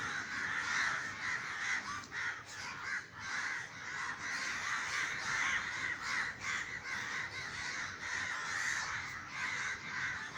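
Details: Crowd of crows over a garden in Sri Lanka, flushed by a neighbour's gunshot meant to drive them off; an almost unbroken wash of hoarse cawing from many birds at once, with faint background hum.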